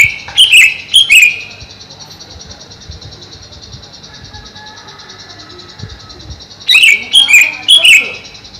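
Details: Caged greater green leafbird kept above a pond for coolness and livelier there, gives two short bursts of sharp, loud whistled and chirped notes, one at the start and one near the end, over a steady high insect-like hum.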